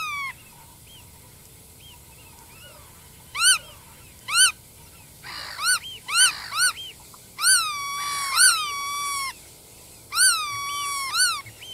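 Black-tailed Godwits give nasal, ringing calls that rise then dip, first singly, then in quick overlapping bursts from several birds over a quiet background.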